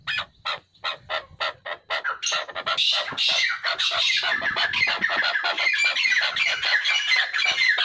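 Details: Chukar partridge pair: spaced, sharp clucking notes speed up into a continuous, harsh, rattling chorus of overlapping calls.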